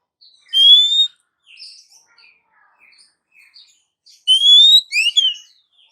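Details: Female Oriental magpie-robin calling to a male, used as a lure: one bright rising whistle, faint scattered soft notes, then a second rising whistle followed by quick downslurred notes.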